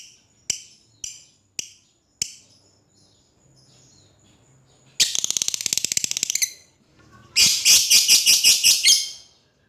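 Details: Lovebird calling out to an opponent: a few isolated sharp chirps, then a rapid buzzy chatter, and after a short gap a louder burst of shrill repeated notes.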